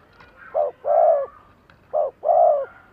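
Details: Two cooing phrases from a decoy spotted dove meant to attract wild doves. Each phrase has a short clipped coo followed by a longer, smooth, mellow one, with faint clicks between them.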